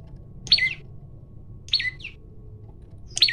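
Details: Male olive-backed tailorbird singing to provoke a fight, phone-recorded: loud sharp downward-slurred notes roughly every 1.3 seconds, one with a brief softer note after it, over a low steady hum.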